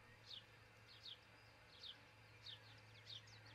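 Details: Osprey calling at a nest in Charlo, Montana, recorded on a nest camera in the early hours of 22 June 2018. Five crisp, high, down-slurred chirps fall about every 0.7 seconds over a low background hum.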